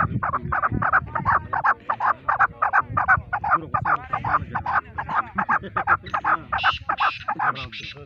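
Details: Male chukar partridge calling in a rapid, steady series of harsh clucking notes, about two and a half per second, with some higher squeaky notes toward the end and low background rumble.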